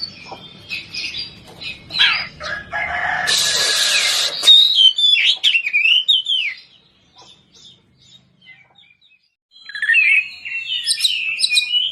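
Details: Oriental magpie-robin of the poci type in competition song to provoke rivals: scratchy warbles and a burst of harsh hissing noise, then slurred whistles, a quiet pause, and a final twittering run.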